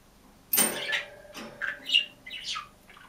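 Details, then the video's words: Lone caged budgerigar gives a harsh, broad rasping squawk followed by several shorter scratchy chirps and a low chattering note. "МИЛЫЙ И ЗАБАВНЫЙ ПОПУГАЙ ПОЕТ И ЧИРИКАЕТ/ОДИН В КЛЕТКЕ"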